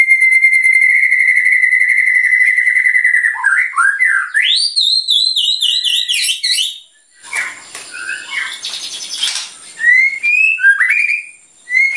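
A white-rumped shama opens with a long, steady high whistle, then breaks into rising sweeps, rapid warbles and sharp varied phrases. Rich, loud and fluid throughout.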